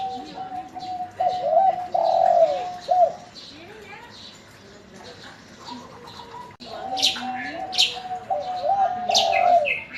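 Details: Local spotted dove, calling readily and answering as soon as it hears other birds; two bouts of low, hollow, slightly wavering cooing phrases, separated by a quiet gap, with sharp high chirps from other birds over the second bout.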